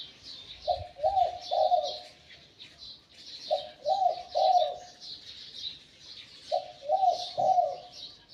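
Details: Spotted dove, a wild-caught decoy bird with a medium-to-deep Liu Tan voice, gives three soft, throaty coo phrases about three seconds apart. Each phrase has a short note and then two longer rolling coos. Other small birds chirp steadily overhead.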